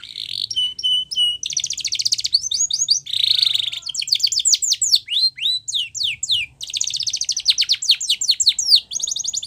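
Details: Powerful training song of a Spanish Timbrado canary, with metallic rattling trills, a buzzy roll, long runs of quick falling notes and rapid repeated strokes, all high-pitched and continuous in a quiet setting.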